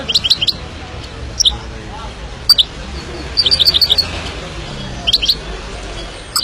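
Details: Himalayan goldfinch singing in short bursts of sharp, high twittering notes, several quick paired chirps at a time, separated by pauses, with low background hum.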